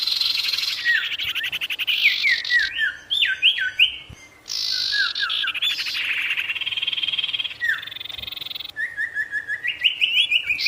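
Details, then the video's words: Long varied Sirtu song meant to anger and call in wild birds: buzzy trills alternating with quick downslurred whistles and ringing chips, finishing with a fast rising series of short notes. "SIRTU GACOR BIKIN EMOSI BURUNG LIAR | Full Variasi Alam"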